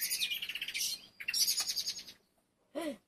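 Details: Birds around a family's country plot near Cieszyn in southern Poland; rapid high twittering trills in two bursts, followed after a pause by a short lower downslurred note.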